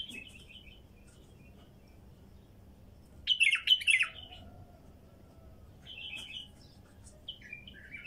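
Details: A wild female bulbul sings in separated phrases: short twittering notes, a loud fast jumble of chirps near the middle, then softer warbled phrases spaced a second or two apart over a quiet background.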